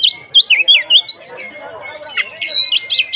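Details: Konslet ngeplong style song of a kacer (Oriental magpie-robin), used to spur other kacer to sing: clear dipping whistles in quick sequence, then a burst of harsh high rattling chatter.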